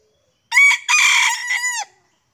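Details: Junglefowl crowing in the forest while being lured by hunters, with two birds arriving: one loud, hoarse crow broken into four rasping segments over about 1.4 seconds, the last part drawn out and falling, with a silent background.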